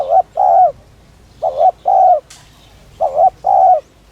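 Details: Spotted dove cooing in the 'thúc' and 'rút bổi' style, used to stimulate and lure other doves. Paired phrases, each a short wavering note then a longer flat coo, come about every one and a half seconds, with one faint click between them.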